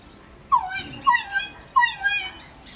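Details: A blue-and-yellow macaw (Ara ararauna) at a home-centre pet shop gives three drawn-out, falling, nasal calls about half a second apart, over a quiet indoor hum.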